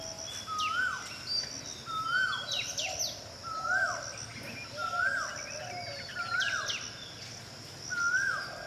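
Tickell's blue flycatcher gives short, sweet rising notes about every second, with higher thin chirps from other birds woven through and a soft background hum.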